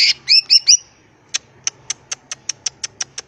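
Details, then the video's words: ['Greater green leafbird singing actively in ngentrok style with crest raised: four rich, rising whistled notes, a pause, then a steady series of about ten short, sharp high ticks roughly three per second.'] "Burung Cucak Ijo Gacor full isian Ngentrok Jambul Nembak"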